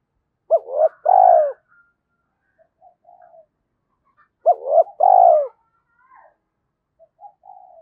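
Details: Spotted dove kept as a decoy, cooing to urge other doves to answer. Two matching phrases come about four seconds apart: quick hooked notes rising into a long, throaty, falling coo, followed by soft distant murmurs.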